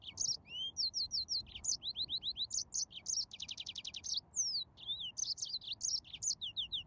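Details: Yellow-fronted canary in full song, rapid high chirps, a dense buzzy trill in the middle and long sliding whistles, flowing continuously throughout.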